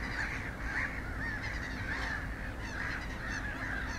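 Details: In Espoo, Finland, on 29 April 2019, a little gull gives short, nasal, slightly rising calls about twice a second, over steady low wind rumble.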